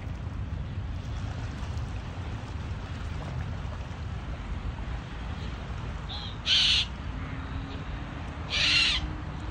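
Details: Yellow-crested cockatoos, a non-native group in Singapore, likely released pets, encountered during a hike along Changi Beach; two short harsh screeches about two seconds apart over steady low rumbling background noise.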